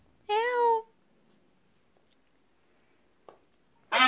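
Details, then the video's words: Frightened peafowl chicks giving alarm honks: one clear, tonal, slightly falling call, a quiet gap with a faint click, then another loud, harsh honk begins at the end. "Honking Peachicks"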